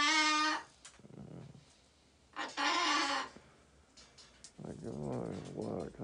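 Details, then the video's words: Escaped pet parrot indoors, waking its owner who sleeps late instead of going to work: loud harmonic squawks, a half-second opening cry, then another burst at two and a half seconds and a rolling, wavering vocal passage near the end. "앵무새가 탈출해서 사람 깨우는 방법"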